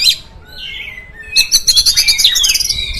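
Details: Oriental magpie-robin song played to provoke other magpie-robins: a short high note, then a sliding whistle, followed by a rapid run of bright high chirps repeated about three per second.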